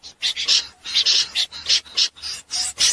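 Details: Common snipe giving night calls for net-trapping lure use: about eight rough, buzzy rasps in three seconds, some doubled, loud and close.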